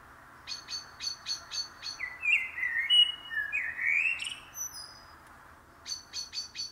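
A common blackbird gives a run of sharp high chips, then a mellow, fluty warbling phrase with squeaky notes, before the quick chips return.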